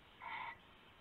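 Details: Nighttime owl call on 19 February 2016, before dawn, while a rabbit is passed as prey: one brief harsh burst of about a third of a second over a quiet hissing background.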